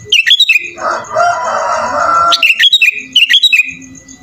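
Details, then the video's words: Sooty-headed bulbul in full voice, its song stuffed with mimicked phrases: quick chattering whistled notes, then a long harsh rasping noise, then further bouncy whistled phrases. "SUARA BURUNG KUTILANG GACOR FULL ISIAN"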